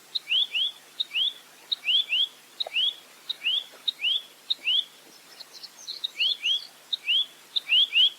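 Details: Velvet-fronted nuthatch, clear tutor recording: paired rising whistles, each led by a sharp tick, repeated in a lively run, with a few softer high twitters mixed in midway.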